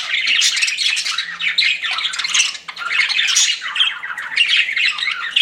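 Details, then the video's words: Several pet budgerigars chatter together, a busy stream of buzzy, scratchy chirps and short squawks that rise and fall with a brief dip midway. "CUTE PET BUDGIES CHIRPING"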